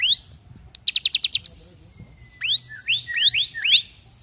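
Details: One fast stuttering trill from a caged bar-winged prinia, then a run of four or five bright rising whistles, part of a half-active 'brem AK47' song used for training other birds.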